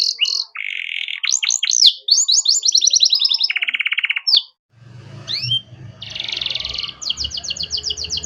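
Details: Canary singing a master song for tutoring young birds, with buzzy trills and rapid sweeping whistles; from about five seconds a low hum and faint background noise sit under harsher buzzes and quick repeated notes.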